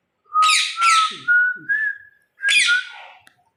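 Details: Parakeet that imitates human words whistles a steady, slightly rising tone overlaid with harsh, buzzy squawks, pauses briefly, then repeats a shorter rasping whistle.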